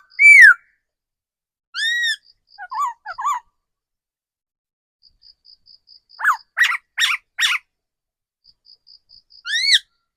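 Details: Mature forest decoy laughingthrush giving scattered song: a bright descending whistle, an arched whistle, short low twitters, then a cluster of sharp rising notes and a final loud whistle, with faint ticking notes between; otherwise silent.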